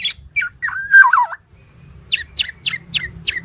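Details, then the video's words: Black-naped oriole from a training recording: a few squeaky notes and a warbling, wavering squeal, a short pause, then five evenly spaced sharp downward chirps. "MASTERAN BURUNG KEPODANG"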